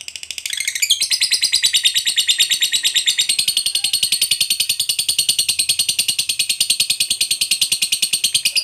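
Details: Lovebird of the fighter type in a long ngekek trill, played to make rarely singing lovebirds sing: a continuous, fast, piercing rattle of even pulses running throughout, starting with a short, higher flourish.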